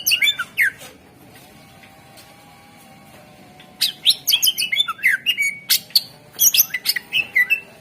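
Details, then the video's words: Greater green leafbird lure song to make other birds sing: a fast burst of varied chirps, a three-second pause with a faint hum, then a long lively sequence of sharp, whistled and slurred notes. "Suara Pancingan CuCak Ijo / Murai Ijo Gacor Ampuh Bangat Burung Pancing Burung Yang Macet Suara"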